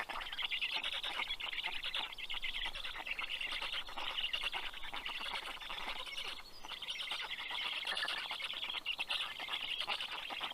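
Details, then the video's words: Black stork chicks on a nest camera in Karula National Park, southern Estonia, greeting the adult male bringing fish at 11:00 on 11 June 2023; a continuous harsh, raspy chorus of begging calls with steady clicking pulses throughout. "Karl brings fish for all 😊Funny greeting sound by the Kids 😁"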